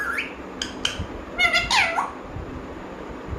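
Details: Household talking parrot making a few brief squawky syllables, then a louder wavering harmonic call that bends down and back up, followed by near silence with faint room hum.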